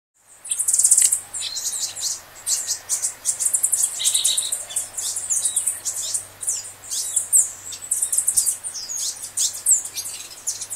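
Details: Green honeycreeper recorded in the city of Ubatuba, São Paulo, Brazil: a steady stream of very high, thin, short chirps and tsip notes in quick irregular clusters, with a faint low hum underneath.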